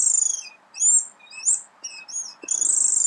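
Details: A swallow, described as having a melodious trill, delivers a quick, bright twittering of high, squeaky warbled notes. These are mixed with slurred whistles and ends in a rapid, buzzy rattling trill. No other clear sounds are present.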